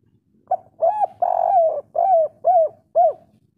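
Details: Loud local spotted dove in kuk 3 style, played to boost breeding drive in listening doves. A clean sequence of six deep coos: a short lead note, a long sustained one, then four clipped, arched notes.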